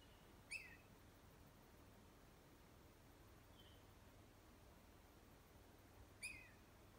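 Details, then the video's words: Northern flicker calling at a fen in Yosemite: two loud, harsh, downslurred single notes about six seconds apart, with a faint short whistle between them over a steady low background hiss. "Northern flicker call"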